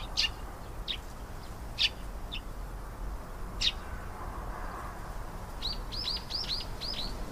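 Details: Canary with a few scattered sharp high chirps, then a rapid run of about eight short rising whistled notes at the end, over quiet background hiss.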